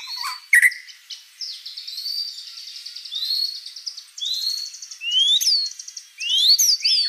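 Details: White-rumped shama song of mixed rising whistles, buzzy trills and sharp upslurred notes in a continuous varied stream, with faint background noise.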